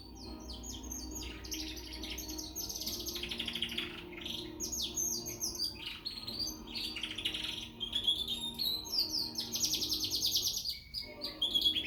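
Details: Young frill canary in Peshawar singing a sustained, lively warble: rapid trills, rising and falling whistles and chattering bursts, growing louder toward the end, with a faint steady hum underneath.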